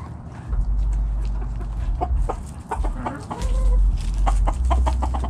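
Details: Chickens of a backyard flock foraging in the morning, giving short sharp clucks and a brief rising tonal note, over heavy low rumbling noise.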